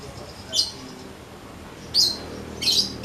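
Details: Weaver, a raw untrained bird starting to sing in a soft voice: three short, high, buzzy-scratchy notes spaced unevenly, the last two longer and louder, over faint background hum.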